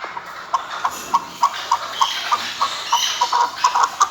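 A chukar gives a steady series of short, clucking chuck notes, about three per second, over a faint background hiss.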